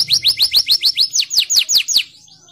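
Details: Singing canary producing a rapid roll of bright downward-sweeping notes, roughly five per second, the last few slower and louder, ending abruptly in near silence.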